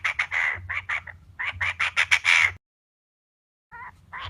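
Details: Female Chinese francolin lure call for trappers: quick series of coarse notes for about two and a half seconds, a silent gap, then softer notes returning.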